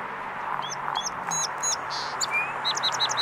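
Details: Song sparrow, a male singing on a salvia bush at the corner corral: crisp high notes in quick bursts, a short whistled slide, then rapid repeated notes, against a steady noisy background.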